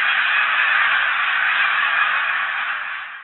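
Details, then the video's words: Large flock of snow geese wintering at Blackwater National Wildlife Refuge, feeding and resting on ponds in January 2020; steady roar of massed honks, fading slightly toward the end. "Snow Geese Action"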